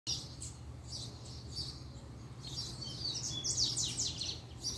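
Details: Captive Double-collared Seedeater (coleiro) kept as a pair, singing as the female appears: rapid, high twittering phrases of buzzy notes and short sweeps, growing denser and louder toward the end, over a steady low hum.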